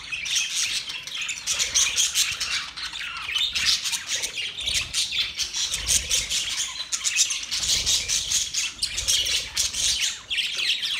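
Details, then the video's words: Budgerigars chattering in the morning, 1 October 2023, with a continuous wash of scratchy chirps and short squawks from many birds, rising in louder surges and briefly dipping near the end. "Beautiful morning birds chirping sounds"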